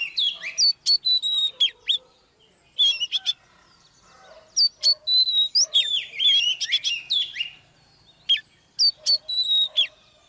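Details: A female Oriental magpie-robin's singing, used to excite a male: clusters of ringing whistles and short chatters, broken by pauses of one to two seconds, about four notes per second in the bursts.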